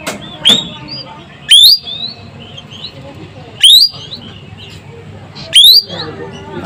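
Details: Asian glossy starling of Sumatra in vigorous, sharp-voiced song: three loud, shrill whistles sweeping steeply upward, spaced about two seconds apart, with quiet chattering and faint hum between them.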